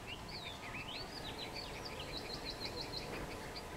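A yellow-vented bulbul gives bubbly, slurred chattering notes, then a quick run of bright repeated chirps, over steady low background noise.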